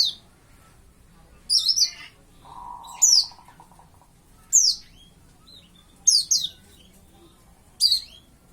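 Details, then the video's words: Pleci white-eye youngster around five months old starting to sing: high, sharp descending chirps repeated roughly every one and a half seconds, with a brief low buzzing tone in between. "burung pleci burung kaca mata"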